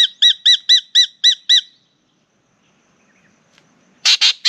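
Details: Spangled drongo singing at a bathing spot in Australia, its partner chatting from the treetop above: seven ringing, metallic two-tone notes in a fast even series, a pause, then three loud harsh rasping notes.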